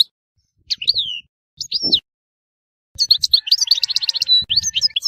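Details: Goldfinch from Tissemsilt: a few downslurred tweets with pauses, then a fast stream of bright, tinkling twitters running to the end, with faint low knocks in the background.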